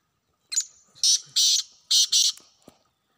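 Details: Black francolin in the wild calling one rasping phrase of five harsh, buzzy notes: a short lead note followed by two pairs of loud grating syllables. Faint clicks and a soft knock follow.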